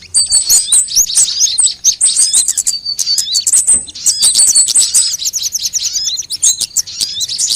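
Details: ['Several kinds of sunbird, in a lure recording meant to draw birds in and set them singing: rapid high twitters and thin squeaky notes pour out continuously, several voices overlapping, with brief gaps around three and six seconds.']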